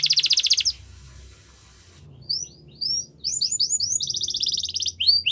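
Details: Russian canary training song heard in bursts: a bright rapid trill, a pause with faint hiss, then scattered falling whistles building into a rolling trill and sharp chirps.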